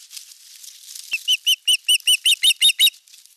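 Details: An osprey at a Eurajoki nest on 25 April 2022, during sky-dance and courtship display toward an unringed female, gives about nine loud, clear, whistled notes, evenly spaced just under a fifth of a second apart, over soft hiss.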